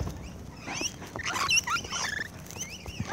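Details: Rainbow lorikeets feeding close-up chatter in quick, shrill, overlapping screeches and squeaky chirps, several birds calling at once over a soft rustling background.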